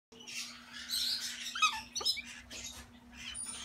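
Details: A pair of lutino galahs indoors gives harsh, scratchy screeches and a few quick down-slurred squeaks in irregular bursts over a steady low electrical hum, recorded 4 February 2018.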